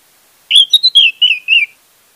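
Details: Orange-headed thrush lure song meant to coax a silent bird: a single phrase of about one and a quarter seconds made of connected, wavering whistles that fall gently in pitch.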